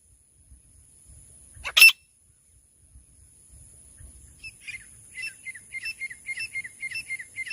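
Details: Francolin, called teetar locally, with a sound used in hunting in bush country. After a single loud click, soft chirped notes bend downward and repeat roughly twice a second, growing steadily louder.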